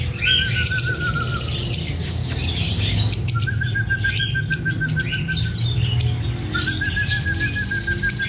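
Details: Breeding pair of lovebirds singing and chirping: wavering, rapidly trilled mid-pitched notes held for a second or two, repeated three times, with sharp high chirps above and a steady low hum underneath.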